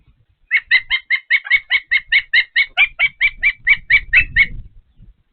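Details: Osprey on a Patuxent River Park nest at feeding time utters a steady string of about eighteen bright, piping chirps, each short and slightly squeaky, over a soft low background.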